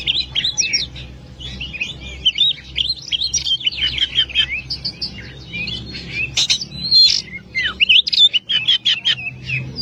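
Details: Loud, long oriental magpie-robin song recorded as a tutor for other birds: a rich, rapid mix of whistles, trills and sharp repeated chirps, continuous across the whole stretch.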